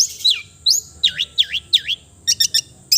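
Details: Melodious song of a long-tailed shrike (cendet): a high downslurred whistle, then three swooping U-shaped whistled notes, ending in quick clicky, buzzy bursts, all very high-pitched over a faint low hum.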